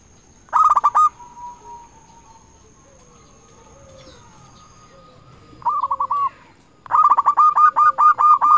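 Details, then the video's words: Zebra dove of local type, singing as a lure that calls rivals; short bubbling coo phrases stand apart with long quiet gaps, ending in a sustained run of quick notes, over a faint constant high tone. "Perkutut lokal gacor RAJA PIKAT memanggil lawan sekali dengar bikin semua perkutut nyaut"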